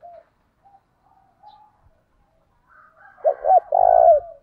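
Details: A Vietnamese decoy spotted dove, used to provoke wild doves into calling, gives soft, low coos that build into a louder, rolling cooing phrase.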